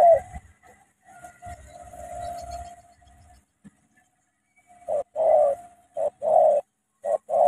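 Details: Cà Mau spotted dove used as a decoy against a wild bird: a soft drawn-out hum first, then a series of loud hollow coos in quick succession toward the end.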